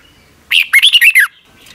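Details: One phrase of red-whiskered bulbul song, Thailand, used to train young caged birds each morning: a bright rising whistle followed by four rapid clear notes slurring downward.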